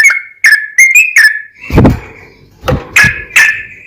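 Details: Yellow-vented bulbul singing as a lure to make other bulbuls sing: a few short whistled slurred notes, interrupted by two dull thumping knocks, then more whistles at the end.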